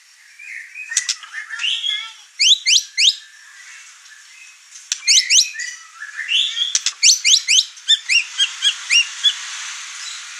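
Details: White-rumped shama, over-excited, singing hard enough to agitate the other birds in the house. Bursts of steep high chirps and slurred whistles alternate with quieter gaps over a faint hiss.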